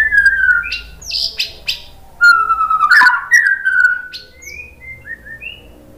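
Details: White-rumped shama lure song to get another bird singing: loud, varied whistled phrases sliding down and up, interspersed with sharp clicks, ending in softer high rising notes.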